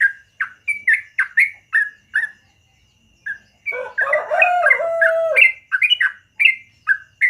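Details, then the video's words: Morning song of a yellow-vented bulbul, 'gacor ropel panjang' style: quick liquid phrases, then a short pause and a dense burst of overlapping chattering notes, before the rapid bubbly phrases resume. "BURUNG TRUCUKAN GACOR ROPEL PANJANG DI PAGI HARI"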